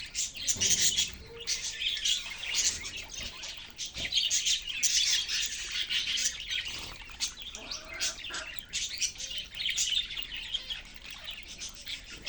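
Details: Budgerigars in a cage give a busy, overlapping stream of high chirps, warbles and scratchy squeaks, rising and falling in bursts throughout.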